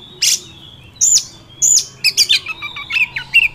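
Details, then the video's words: Wild Oriental magpie-robin song played to stir a kept bird: three sharp high notes spaced apart, then a quick series of short chirps and a descending sweep. "Pancingan kacer ampuh langsung Emosi - kacer di alam liar"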